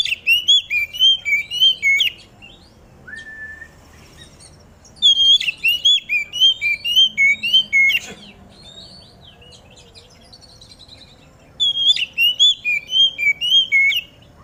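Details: Oriental magpie-robin (kacer) singing in morning dew, used to prompt other magpie-robins to sing: bursts of sweet clear whistled notes, rising and falling phrases in runs of several seconds separated by quiet gaps.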